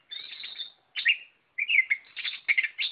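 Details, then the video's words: Kacer, or Oriental magpie-robin, singing hard in gacor style: a buzzy high phrase, a pause, a sharp chirp, then a tumbling stream of varied whistles and rapid chattering notes. "Burung kacer Lot Full Gacor"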